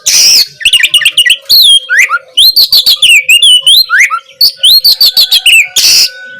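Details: Energetic Oriental magpie-robin song meant to provoke a lazy, silent bird into answering: opens with a harsh rasp, then a fast stream of bright whistled slurs, ticks and trills, closing with another grating burst; a faint steady hum underneath.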